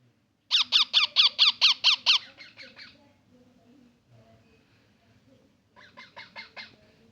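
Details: A baby parrot, while eating food, gives a fast run of about eight harsh, rasping squawks that fade into softer chatter, then a second shorter burst; finding: parrot.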